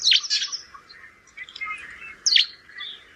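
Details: Sparrow calls recorded in rainy weather: two bursts of bright, high, sharp chirps at the start and near the end, separated by softer, lower twittering notes; steady faint background hiss.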